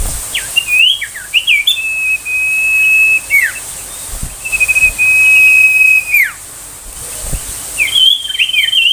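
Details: Ashy tailorbird burst song, used as a master track for magpie-robins: long level high whistles held for a second or more, framed by downward-slurred chips and looping notes, with faint thumps beneath.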